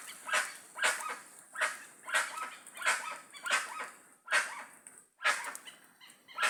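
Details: Wild flock of guans calling loudly, a steady run of rough, barking honks, roughly two per second, with a short break near the fifth second.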